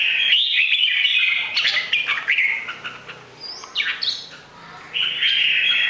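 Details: Three-season red-whiskered bulbul from Bình Định, in top song with butterfly-style wing play. Rich run of warbled, whistled notes sliding up and down, broken by brief pauses, over faint hiss.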